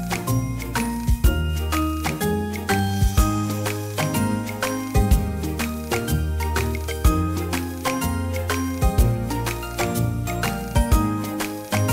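Only music is heard, a steady tune with bell-like tinkles over a deep bass pulse, and no animal sound.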